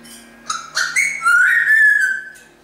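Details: Pet African grey parrot in Australia at Christmas, singing Jingle Bells: a clear whistled melody, notes sliding and held, rising into a long sustained whistle indoors.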